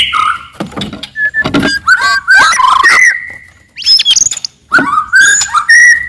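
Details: Forest white-rumped shama singing loudly and aggressively to rouse rivals: clear whistled notes near mid pitch broken by sharp broadband clicks and chatters, with a long steady whistle around the middle.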